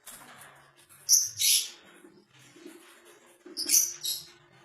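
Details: Red-headed lovebird giving high, shrill twittering bursts in two clusters about two and a half seconds apart, over faint background chatter.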